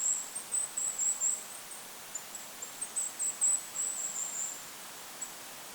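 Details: Goldcrest in a forest by a lake producing rapid, thin, very high notes in irregular bursts that fade toward the end, over faint wind hiss.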